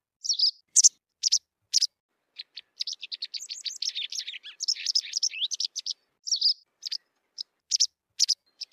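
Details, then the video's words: A white wagtail sings: scattered sharp high chirps opening into a fast, dense twittering run, then spaced ticking notes again; silent background. "صوت الذعرة البيضاء white wagtail song"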